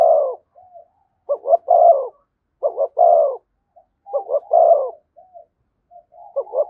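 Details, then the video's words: A spotted dove near a decoy bird calls in the 'thúc gù' manner, with repeated low phrases of paired short coos and a longer resonant coo, interspersed with soft muttered notes and short pauses. "Tiếng chim cu gáy THÚC GÙ giọng hay với sát bổi"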